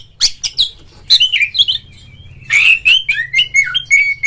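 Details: Lure song of an Oriental magpie-robin, used to rouse a rival caged bird to sing and spread its tail; rich whistled phrases with buzzy notes, ending in a run of clear repeated whistles.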